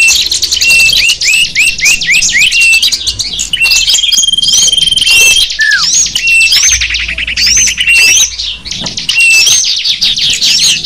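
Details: Small birds singing in a sapu jagat lure recording meant to attract wild small birds; rows of quick rising chirps, continuous high chatter, a drawn-out whistle and one deep descending slur.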